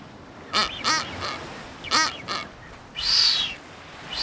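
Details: Blue-footed booby in the Galápagos during its elaborate courtship dance ritual: two pairs of short, harmonic, whistled calls with rising and falling strokes, then a louder, broad, hoarse burst and the start of another.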